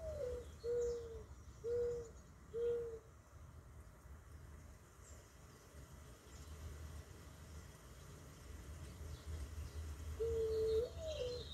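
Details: A mourning dove (Zenaida macroura) gives soft, low, hollow coos: a slurred opening note followed by three steady coos about a second apart, then a new phrase begins, over a low rumble.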